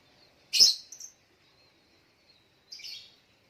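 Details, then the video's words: Little spiderhunter calling in the morning: one loud, sharp, high chirp with a short trailing note, then a softer high chirp after a pause of about two seconds, all on a quiet background. "Suara Burung Sogok ontong di pagi hari"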